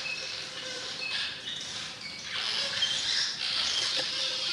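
Cliff swallows chatter nonstop in a dense chorus of high, squeaky, creaking twitters that overlap rapidly, several calls each second.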